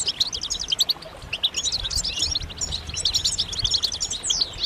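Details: A flock of European goldfinches chatters with mating and readiness calls meant to prompt males to sing: rapid, bright, tinkling notes stacked over one another, pulsing in bursts, ending in a longer sweeping note.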